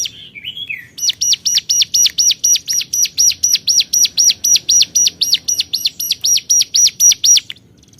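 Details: Hill prinia calling rivals, a short slurred note followed by a long, steady run of loud, clipped chirps at about four per second, ending abruptly; low background hum underneath.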